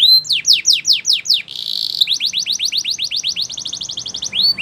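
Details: Canary delivering Spanish Timbrado song for training: descending strokes repeated quickly, a brief buzzy roll, then a long even series of rapid rising notes.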